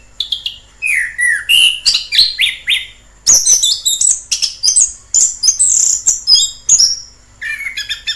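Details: In the wild, an orange-headed thrush sings a lively medley: descending whistled slurs at first, then dense high trills and chattering notes, the phrases following each other with barely a break.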